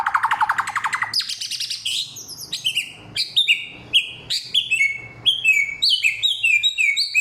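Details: Samyong of many voices singing loudly and clearly: a rapid low rattling trill, then a run of high, falling whistled chirps repeated in quick succession.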